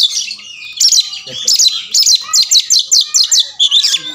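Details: Oriental magpie-robin, a silent bird said to quickly start responding, fighting and fanning its tail: a fast run of sharp, high chattering bursts repeated about four times a second after a few opening whistles.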